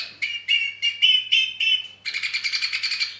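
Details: Two-barred crossbill singing despite the weather: five evenly spaced ringing, harmonic notes, then a rapid dry trill of about a dozen pulses.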